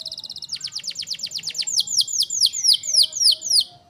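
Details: Bird song in masteran style, used so other birds call back: a long accelerating-then-slowing string of clear, downslurred high notes, roughly three per second, with a faint lower tone underneath.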